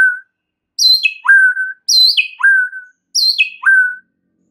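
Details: White-rumped shama song as a lure to excite other shamas: three repeated phrases, each a high note that steps down into a long, clear, lower whistle, about a second apart.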